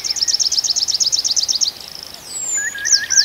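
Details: June night in a forest of the Arkhangelsk region: a fast, even series of high chipping notes lasting almost two seconds, then a thin descending whistle and a few more sharp notes.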